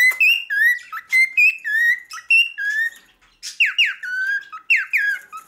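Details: Male cockatiel singing a varied whistled phrase: short clear notes around the mid-high range, some rising, some falling and sliding, in bursts with brief pauses, later phrases harsher and more warbling; indoors, no other sounds.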